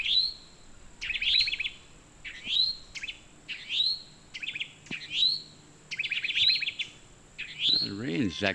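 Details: Towhee mating call, other birds joining in: about eight rising slurred notes, one roughly every second, alternating with another bird's rapid buzzy trills, and a wavering warble at the very end.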